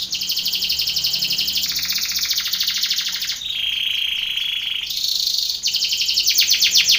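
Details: Song of a Belgian canary used for contest training: dense high metallic trills, a dip into a softer rolling tour, a held buzzy strophe, then fast repeated pulsed notes at full volume.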